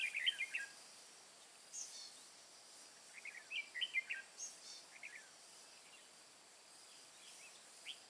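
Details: Red-whiskered bulbul decoy singing during bird trapping in the mountain forest of Hòa Bình, Vietnam, 2 May 2017: short bright chirpy phrases in scattered bursts, with a steady high insect buzz behind.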